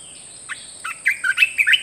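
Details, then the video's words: Red-whiskered bulbul, kept caged, singing a rapid string of about eight clear whistled chirps, sliding downward and upward, tightly spaced and gaining strength, accompanied by a thin continuous high hum. "เสียงนกกรงตาแดงเจ้าขุนพลEp2.เสียงใหม่ต่อเข้าจริง!!!Kicau merbah belukar gacor"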